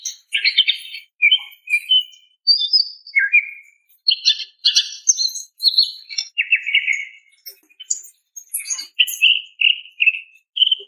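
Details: Female greater green leafbird calling to a male, used as therapy audio for stressed birds: rapid varied chirps and short whistles, dense and continuous, some buzzy notes around the middle, bright high-pitched phrases throughout with brief pauses.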